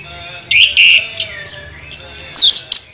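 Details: Orange-headed thrush song in a short burst: a loud buzzy note, a falling slur, then high sustained whistles and quick sharp notes at the end.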